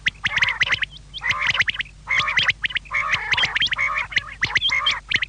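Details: Quails heard in the evening: dense, rasping chattering phrases broken by brief gaps, made of rapid clicks and harsh buzzy notes, loud and continuous for most of the stretch.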